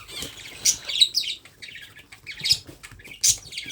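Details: Baby parrot taking hand-feeding, uttering rough hissing squawks in three quick bursts about a second apart, each a sharp raspy peak trailing into softer chatter.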